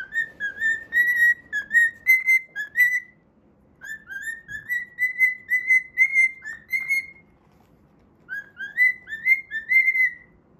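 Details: Pet cockatiel singing while playing, whistling the Pythagora Switch opening theme: three phrases of clear, rising whistled notes that step upward and level off, separated by short pauses, over a faint low room hum.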